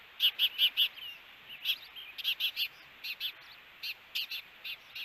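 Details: A pair of ospreys meeting at their nest in Hellgate Canyon, Missoula, Montana, June 21, 2022: rapid series of high, piercing whistled cheeps, four in a quick row, then uneven clusters of repeated notes, with a faint slurred whistle between.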